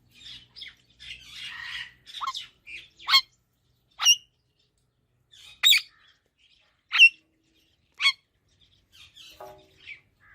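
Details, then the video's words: Parrot calls, likely pet birds: a burst of scratchy chatter, then sharp loud squawks spaced about once a second, with soft chirps between them. "Talking Parrot Natural Sounds"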